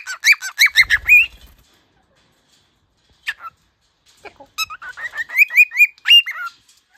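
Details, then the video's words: Pet cockatiels, one teaching the other to sing and talk: bursts of clear whistled notes, each sliding upward, strung into quick repeated runs, with short pauses and a lone call between phrases. "Chili teaches Snowflake to sing and talk."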